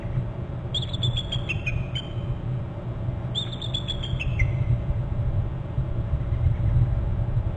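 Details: Pair of bald eagles alerting at a Hornby Island nest on a February morning: two bursts of high, descending chittering notes, each about a second long, over steady low rumbling background noise.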